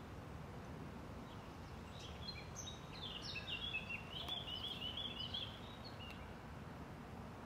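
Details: A common blackbird (Turdus merula) in Tivoli landscape park, Ljubljana, on 21 June 2023, gives a brief, fairly high song phrase ending in a quick run of squeaky twitters, over steady low background rumble.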